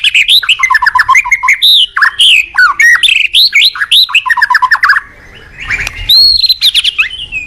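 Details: White-rumped shama, a vigorous singer used to stimulate and train other shamas, pouring out rich varied whistles, trills and descending slurs in continuous phrases, a short pause, then more whistled notes.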